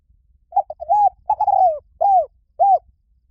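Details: Spotted dove cooing: two short soft notes, then a longer coo, a drawn-out falling coo, and two separate arched coos about half a second apart, all low and mellow with a quiet background.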